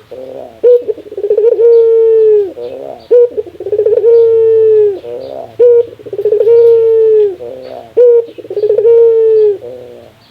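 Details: Rare laughing call of a Barbary dove given over and over, roughly every two and a half seconds. Each is a clipped opening note, a fast rattling string of coos and a smooth sustained tone tailing downward.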